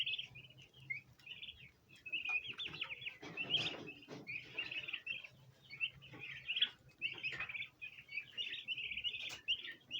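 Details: A group of domestic bronze turkey poults gathered around a basin of ornamental plants, trying to eat them, giving dense high chirps: short wavering peeps repeated almost continuously, with brief pauses and soft rustling and thumps below.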